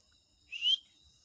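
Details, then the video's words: Pet talking parrot giving a single short whistle that sweeps upward, clear and loud against a quiet, faintly humming background. "Bolnay walay طوطے کی آواز"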